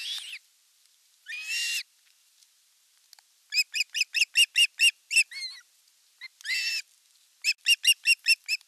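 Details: Ospreys at a nest camera site in the Satakunta region of Western Finland, 5 August 2024, with the elder chick attacking the younger one during a fish delivery. Shrill rising whistles, then fast series of short chirping notes, about two per second, separated by pauses.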